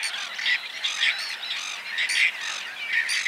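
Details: Whiskered tern: grating, raspy calls repeated nearly every second in uneven bursts, with a continuous background chatter of more birds calling.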